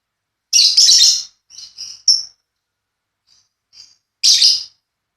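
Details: Paud lovebirds in a pairing setup: a harsh burst of shrill chirps, several short thin squeaks, a pause, then another loud shrill burst.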